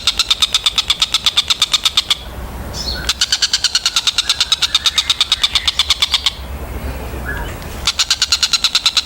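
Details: Collared kingfisher, known locally as tengkek buto, in a bird-training recording; sharp, high, harsh notes rattled off about six per second in long bursts, broken by two brief pauses, with a faint low rumble.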